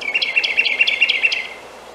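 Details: Carolina wren on a snowy morning, singing to attract a mate: a fast, ringing chant of about six identical whistled phrases in quick succession, clear and loud, then fading to quiet.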